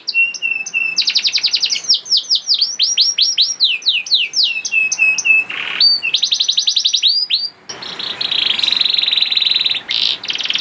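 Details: Young canary singing to prompt reluctant canaries into song: rapid runs of downward-sweeping whistles, steady flat tonal notes, and long buzzy rolled trills, bright and high-pitched throughout, with brief pauses between phrases.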